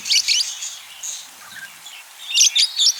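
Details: Courting budgerigar kept as a pet, chattering in fast high chirps. A loud burst opens the stretch, softer murmuring fills the middle, and another lively run of squeaks closes it.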